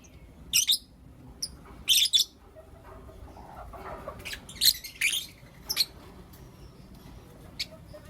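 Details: Morning calls of Blue Opaline and Lutino Opaline lovebirds: separate loud, grating chirps at uneven intervals, some in doubled bursts, with quiet stretches between.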